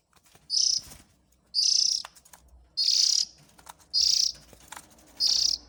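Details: Calls of an Oriental magpie-robin chick, used to lure in parent birds. Rasping, high, hissy bursts repeat roughly once a second over faint background rustle and low hum.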